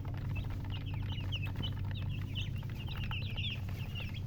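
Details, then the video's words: Baby chickens chirping in quick, bright, high peeps, many overlapping in a continuous stream, with a low droning hum underneath and a soft thud midway. "Chicks Chirping"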